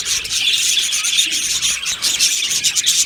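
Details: Brief stretch of budgerigar colony chatter in an aviary, described as happy: shrill, scratchy twittering from many birds, pulsing slightly in loudness.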